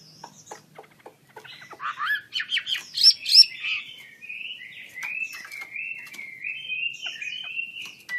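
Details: Chinese hwamei, wings spread, singing: scattered ticks build into dense chattering phrases, then a long run of rolling, warbled whistles.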